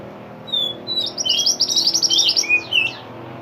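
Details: Pied bushchat in full song as a master recording for training songbirds: a thin rising whistle, then a dense run of fast buzzy, scratchy high notes and a final twisting whistle.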